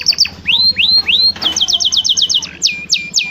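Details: Canary tutor song for training other canaries, with showy, varied phrasing: brief chips, then rising whistled swoops, a quick loud trill and several sharp falling notes, over faint low music in the background.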